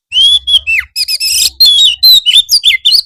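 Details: Oriental magpie-robin master song, used as afternoon therapy to train birds to answer and sing energetically: loud, fast phrases of clear rising and falling whistles mixed with buzzy, scratchy notes and high chips, nearly continuous.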